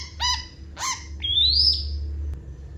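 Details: Long-tailed shrike with a busy song of mimicked fill-ins: two rich, harmonic nasal notes, then a long thin whistle sliding slowly upward, then a single click, with a low rumble beneath.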